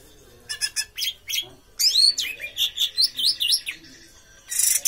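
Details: Teler-style song from a well-built orange-headed thrush: clicking notes, then a steady string of about eight looping whistled phrases, ending in a harsh high burst.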